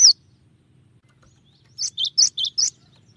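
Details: Cinereous tit, locally gelatik batu, singing a 'tembakan' variation: one sharp opening chirp, a pause of over a second, then five chirps alternating between higher and lower pitch, fairly soft.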